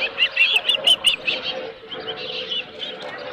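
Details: Osprey on a ranch nest with a live fish, giving a short series of bright, high whistled chirps that soon fade into fainter, smeared calling.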